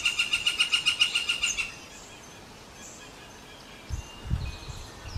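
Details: One of a Northern Flicker pair gives a quick run of about a dozen sharp, even notes in under two seconds, then falls silent; low thumps follow near the end.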